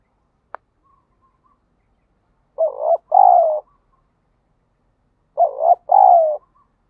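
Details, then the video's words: Spotted dove calling to provoke fighting and stimulate a decoy bird during daily training; two loud cooing phrases, each a short wavering coo followed by a longer, smoother, slightly falling coo, about three seconds apart in a quiet setting. "chim cu gáy thúc đấu, tiếng chim cu gáy kích bổi rất lẹ nổi, tiếng chim cu gáy luyện mồi hàng ngày"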